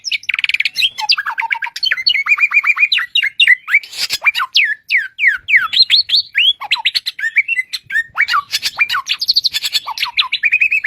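A bushlark pours out a rapid, unbroken medley of high whistles, chirps, slurred notes and short trills, changing phrase every second or so, with no other sounds.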